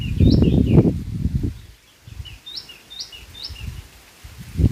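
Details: White-throated fantail in India giving a run of high, clear whistled notes, some rising and some falling, in quick succession through most of the recording, over low rumbling handling noise near the start.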